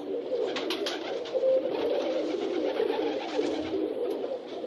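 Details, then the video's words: Several rock pigeons cooing together with wings flapping: a continuous, overlapping, low murmuring coo, with brief fluttering bursts of wingbeats. "As asas arrulhando e batendo dos pombos.Pombos batendo asas e arrulhando"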